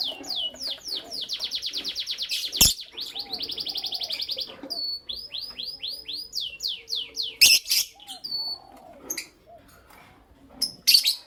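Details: Creamino and Lutino Opaline lovebirds in morning song: long fast rattling trills of high notes broken by sharp harsh bursts, then repeated shrill downward-sliding chirps and quieter low calls.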